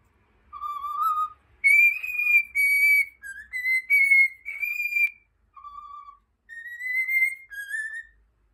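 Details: Pet cockatiel whistling the melody of Over the Rainbow: clear, pure whistled notes, a lower opening tone leaping to higher held notes, about nine notes in short phrases separated by brief pauses, quiet room.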